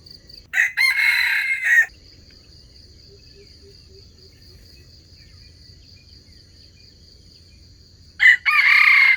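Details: Crowing of red junglefowl serving as a trapping lure for wild chickens; two loud harsh crows about seven seconds apart, separated by quiet stretches filled with a continuous high insect drone.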